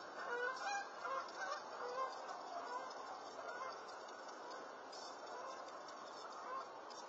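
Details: Unseen Canada geese passing low over a house around midnight on 13 February 2020; distant, muffled honks from the flock, loudest in the first two seconds, then fading into a hissy background.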